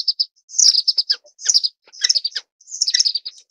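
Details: Orange-cheeked waxbill, Estrilda melpoda, giving high thin chirps and short twittering bursts, clustered in groups of rapid notes with brief pauses between, all very high-pitched with no other sounds.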